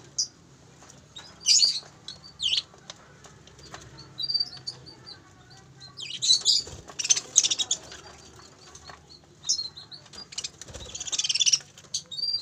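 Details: Caged parakeets, two breeding pairs on a bird farm, producing repeated rasping squawks and chattering bursts at irregular intervals, busiest around the middle and near the end, over a low background hum.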